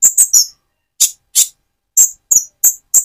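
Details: Speckled Van Hasselt's sunbird used as a lure to excite another bird gives hard, piercing high chips: a quick triple, a pause, then spaced single and paired notes.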